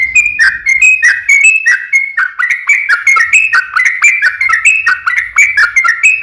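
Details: Yellow-vented bulbul giving a long, rapid ropel panjang song, meant as a lure to prompt other bulbuls to sing: a continuous run of bubbly, liquid whistled notes bouncing up and down, about six seconds without a break.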